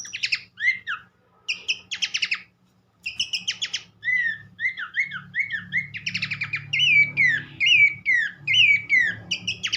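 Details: Abbott's babbler song used as a training recording to get other babblers singing: bursts of rapid buzzy stacked notes alternating with repeated arched, downslurred whistles, after a short pause, over a faint low hum.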